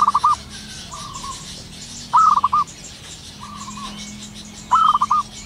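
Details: Wild zebra dove of the local type singing eagerly at morning: three rapid, stammering coo phrases about every two and a half seconds, alternating with a quieter dove's answering coos, other small birds twittering high above.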